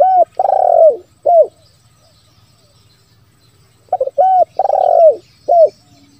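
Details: Spotted dove used as a lure call to make wild doves call, in the 'bero kuk, one lambung kuk' style. Two low cooing phrases, each a short coo, a long rolling burry coo falling at its end, and a short coo, separated by a long pause.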